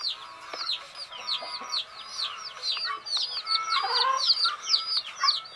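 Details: Hen chicks at rest give fast, high-pitched chirps, many birds peeping in rapid overlapping succession, with a slightly louder, busier patch of calls toward the end.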